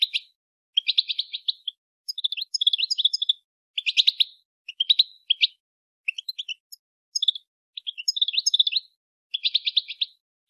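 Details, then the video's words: Chirping female European goldfinch encouraging males to sing and breed, near-continuous bursts of rapid, buzzy twittering trills lasting about a second each, repeated with brief gaps over ten seconds, no other sounds. "بتبتة انثى الحسون لتحفيز الذكور على التغريد و التزاوج"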